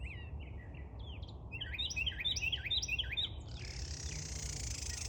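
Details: Small bird in loud song, pouring out quick hooked chirps and twitters in a tight run, then giving way to a broad rushing hiss over constant low environmental rumble.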